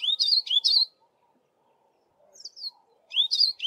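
A Yellow-fronted Canary sings bright, high twittering phrases of quick rising and falling notes, with a brief pause between bursts.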